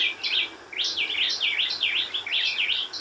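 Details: White-rumped shama singing in the wild: quick bright warbled phrases, rising and falling high notes run together in a lively, continuous stream with little pause.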